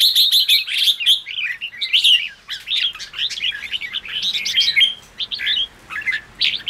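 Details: Red-whiskered bulbul song used to make wild-caught bulbuls sing: opens with a fast series of sharp ticking notes, then continuous bubbling, slurred warbles and chirps with brief gaps.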